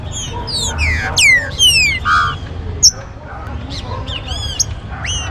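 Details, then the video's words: Green-winged saltator warm-up recording meant to make captive birds active and singing: a mix of loud descending whistles and sharp high notes from several birds, over steady low background noise. "ESQUENTA trinca-ferro"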